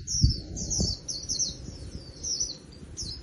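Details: Caged wild-caught Japanese white-eye in song, giving rapid high-pitched twittered phrases that slide downward, over low background rumble and a couple of thuds at the start.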